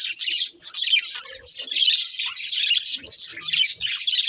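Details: Steady budgerigar chatter: rapid high chirps and grating warbles overlapping, broken by short dips in loudness every second or so, with a few faint low sounds.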